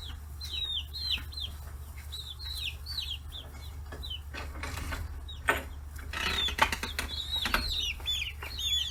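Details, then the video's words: Forty-day-old chicks, free-range in Hiroshima Prefecture, Japan, gathering at fish heads; repeated high descending peeps, roughly one a second, then louder scratching and pecking noises midway, over a low background hum. "chicks chirping sounds"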